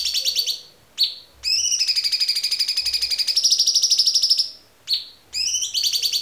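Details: White-rumped shama tembakan song: a falling whistle opens a long fast trill that rises slightly in pitch midway, followed by another whistle and a fresh trill burst.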